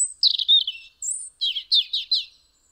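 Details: European robin at a home window in Eibar, Gipuzkoa, December 2019, singing a thin high whistle, a falling warble, another high whistle, then four quick rhythmic chattering notes.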